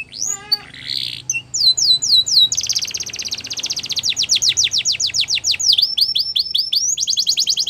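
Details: Belgian canary champion training song for young canaries: varied phrases of rapid descending whistled sweeps and buzzy trills, tours changing every second or two with hardly a gap.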